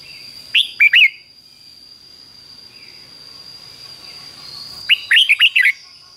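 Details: Caged Red-whiskered bulbul in the fik-jik-fok doubled 'beun' style. A short, clipped whistled phrase opens, then silence, then a second quick run of bright, chattering notes near the end, with a continuous thin whine underneath.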